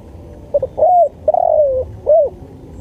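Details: Spotted dove cooing, recorded as a training and lure track: a short stuttered note, then a drawn-out mellow coo, a longer falling coo and a final rounded coo over a low background hum.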